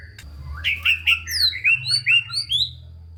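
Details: White-rumped shama song for prompting lazy shamas to sing, opening with slurred rising notes and moving into a string of bright, fluty whistles that step upward, each distinct; soft low hum underneath.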